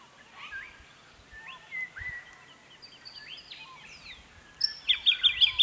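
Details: Jacky winter (Microeca fascinans) singing around 9–9.30am in early spring, early September 2018, in restored, replanted habitat in the Capertee Valley, NSW: soft scattered chirps of other birds, then a loud, bright run of quick repeated high notes.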